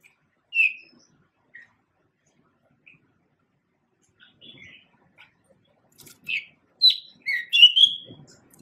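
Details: Male pied bushchat singing: one clear whistled note near the start and a few soft chips, then after a quiet pause a quick, scratchy warbled phrase of several short notes over the final three seconds, with a quiet background.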